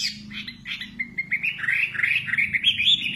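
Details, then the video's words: Singing nightingale giving a fast, varied stream of chirps and warbled notes, climbing gradually in pitch, over a soft low background rumble. "Singing nightingale. amazing bird song"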